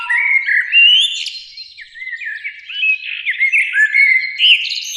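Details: Two blackbirds sing in a spring beech tree beside a lake at evening, loud and close: bubbling fluted warbles with a low whistle at the start, scratchy trills and high squeaks threaded through, in rolling phrases.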